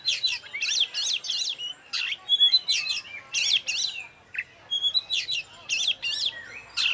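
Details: Oriental magpie-robin, a contest champion kept caged and hung by itself. It sings clusters of three or four harsh, buzzy rattling notes separated by brief whistles and short gaps.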